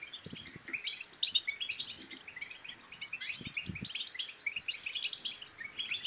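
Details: European goldfinch twittering song, intended to rouse silent goldfinches into singing and mating: lively, high chattering phrases throughout, with short low knocking sounds near the start and middle.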